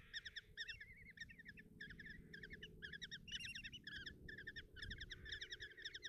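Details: Begging of common kestrel chicks being fed by their mother in a nest box, Tiszalök, Hungary, morning of June 30, 2024: clustered shrill ticking notes in quick bursts, some drawn-out wheezy whines, with low rumble beneath.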